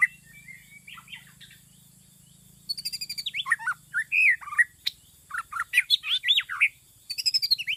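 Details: White-rumped shama song played as a lure for trapping: bursts of rich, fast, varied whistles and chattering notes, some loud and looping, with a short pause midway and a low steady hum underneath at first.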